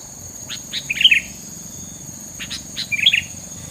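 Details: A bird sings two short bursts of quick chirps, each made of a few rising notes followed by a bright double twitter. A steady high insect-like whine and low rumble run underneath.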